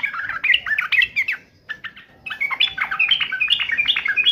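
A yellow-vented bulbul delivers bubbly, chattering phrases of quick liquid notes, two bursts split by a brief pause.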